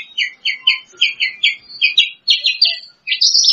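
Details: Bush lark, second-place contest winner, singing a rhythmic series of lower chirping notes that step up into higher phrases and end in a thin, high, slightly buzzy stretch.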